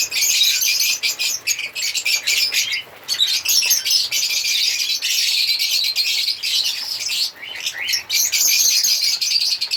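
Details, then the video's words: Long stretch of African lovebirds singing and chirping: continuous shrill, scratchy chatter of many rapid high notes, pausing briefly a few times. "Lovebirds singing sound/Lovebirds sound/African Lovebirds singing and chirping sound"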